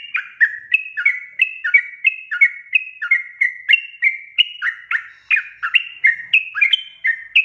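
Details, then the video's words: Continuous sooty-headed bulbul song for luring wild birds: some two dozen quick slurred notes over seven seconds, about three per second, bouncing up and down in pitch in an irregular chatter. "panggilan suara trucukan gacor efektif untuk pancingan burung trucuk bahan agar bunyi"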